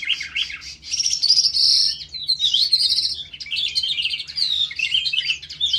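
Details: In a ravine, a skylark (dzhurbay) pours out an unbroken, high-pitched stream of chirps, buzzy trills and quick warbled notes that swell and fade in loudness.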